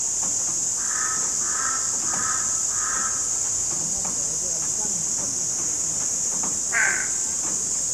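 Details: Crow caws: four quick harsh notes in a row, then a single louder caw after a pause, all set against a constant high-pitched hiss.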